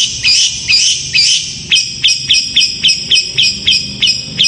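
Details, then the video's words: Long-tailed shrike in fast, tight gacor singing meant to make other shrikes reply: three longer harsh notes, then a quick series of short, sharp rising chips repeated several times a second. "Cendet gacor speed rapat ampuh untuk memancing cendet lain langsung nyaut"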